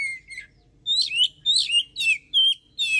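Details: Oriental magpie-robin, known locally as kacer, singing to provoke rival birds: rapid string of loud whistled notes, rising then dropping, about six phrases in three seconds over a low background hum.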